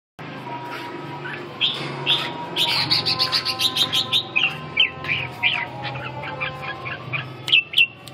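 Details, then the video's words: Red-whiskered bulbul singing a run of short, bright whistled and warbled notes, each rising or falling, growing busier after the first second and a half, over a steady low hum and a faint continuous tone. "Kênh về chim Chào mào"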